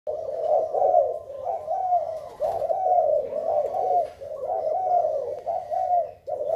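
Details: Thai zebra dove, 19 April 2019, singing a continuous rolling, bubbling coo in low soft tones, the phrases running together with brief dips, one short break near the end; faint background noise.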